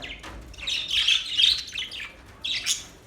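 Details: Budgerigars singing, the sound described as a mating call: dense high chattering warble in two bursts, a long run of scratchy chirps followed by a shorter sharp burst near the end.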